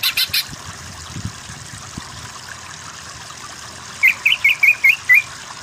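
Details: Greater green leafbird masteran recording aimed at giving weaker singers a 'kejer' style: a few short chips, a quiet stretch with soft rustling, then six crisp upward-flicked whistles in quick succession.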